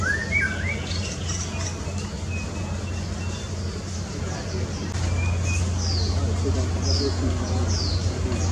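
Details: A male white-rumped shama (long-tailed, orange-breasted) gives a few rich, rising whistled phrases, then a run of thin, high down-slurred notes, over a steady low hum.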